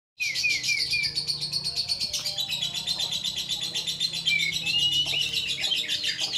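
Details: Oriental magpie-robin song used to provoke a rival bird into agitated, persistent singing: a dense, rapid stream of high chattering and trilled notes about four per second, with a few short whistled slurs, continuous throughout.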